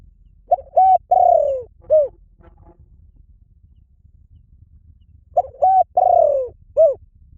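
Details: Spotted dove cooing a phrase of two short notes, a longer drawn-out downslurred coo, and a final short coo, repeated after a roughly three-second pause in a quiet setting.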